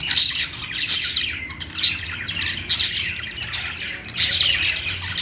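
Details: Budgies kept as pets chirping and warbling, with sharp bright squawks bursting out about once a second over a steady background of busy, high chatter and a low hum.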